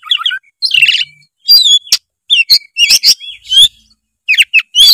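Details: White-rumped shama song used to get a lazy young bird singing: buzzy trills, sharp clicks and clear slurred whistles delivered in quick varied phrases.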